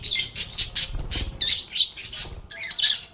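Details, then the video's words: Several lovebirds (Agapornis) chirping and squawking while playing: loud, harsh, high-pitched bursts repeated in quick irregular succession, with brief gaps between noisy calls and faint low rustling underneath. "Lovebirds agapornis sounds"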